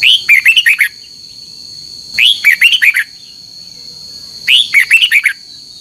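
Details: Red-whiskered bulbul used for training, singing its morning contest song: three near-identical phrases about two seconds apart, each a swooping note followed by five quick clear chirps, steady high whine throughout.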